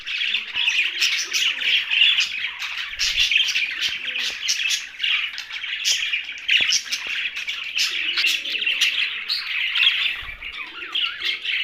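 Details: Young budgerigars in a dense, continuous chirping chatter, high buzzy warbles and squeaks overlapping without pause, with a few sharp clicks and a faint low murmur underneath.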